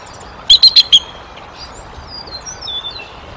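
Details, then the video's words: Bald eagle at the Decorah nest, April 2023, among vocals for prey deliveries, parent meetings and a young intruder: four sharp, high piping notes in rapid succession, followed by faint distant chirps. "Vocals For Every Occasion / The Young Intruder"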